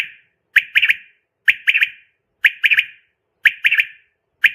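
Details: Female common quail, presented as a hunting lure sound: short three-note phrases, one sharp note then a quick liquid pair, repeated about once a second against silence.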